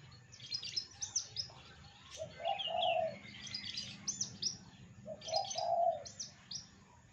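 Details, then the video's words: Javan bush lark copying other species with strong volume: clusters of sharp high chirps alternating with a lower, hoarse, drawn-out note repeated twice, roughly three seconds apart. "BRANJANGAN UNIK Suara aneh pariatif volume dahsyat"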